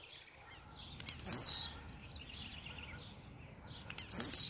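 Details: Aggressive blue-black grassquit singing: two loud buzzy, rising-then-falling notes about three seconds apart, each preceded by a run of dry ticking clicks that speed up into the note, over a quiet rural background.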